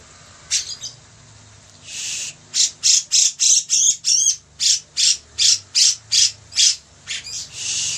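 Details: Grey-cheeked bulbul singing vigorously for master training: a few scattered rasps and a longer buzzy note, then a quick, steady string of harsh squawks, ending in another drawn-out rasp.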